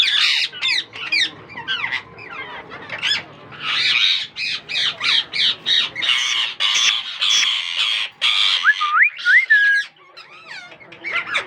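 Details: Newly hatched Indian ringneck parakeet chicks from a young captive pair's first breeding. Harsh, raspy squawks come in rapid bursts, several per second, with a few clear upward-sliding whistled notes near the end.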